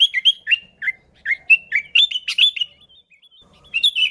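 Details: Energetic sooty-headed bulbul song used to lure bulbuls: a steady string of short, liquid, downward-sliding whistles about every quarter second, a brief pause, then more bright chirps.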